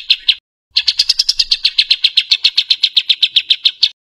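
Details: Tembakan kasar song, a rough rapid-fire style used to tutor cucak ijo and murai batu. A short burst, then after a gap a quick, even train of about twenty sharp high chips at roughly two per second.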